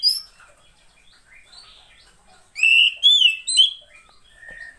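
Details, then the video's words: A female Oriental magpie-robin, a sound used to tempt reluctant males to sing. Quiet scattered notes, then three loud ringing whistles in quick succession. A soft whistle follows near the end. "SUARA KACER,POCI BETINA,terapi untuk memancing burung jantan yang males bunyi"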